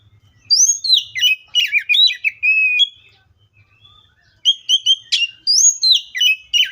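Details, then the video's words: An Oriental magpie-robin (Copsychus saularis) sings rich, varied whistled phrases, sweeping and warbling between high notes, with a short pause before a second burst of song. "BIRDS COPSYCHUS SAULARIS"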